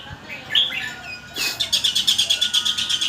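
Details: Red-whiskered bulbul linking song phrases rapidly: a few clear whistled notes, then a fast, steady run of sharp high chips repeated almost three times a second.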